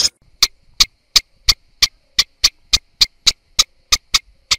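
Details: Eastern olivaceous warbler giving short, dry clicking calls, one sharp tick roughly every third of a second in a steady series, with a quiet background.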